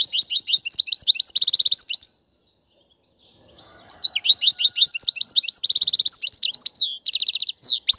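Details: Stimulating goldfinch twitter with mating and readiness calls: lively tinkling phrases mixed with harsh buzzy trills in two long bouts split by a brief silence, high and clear throughout.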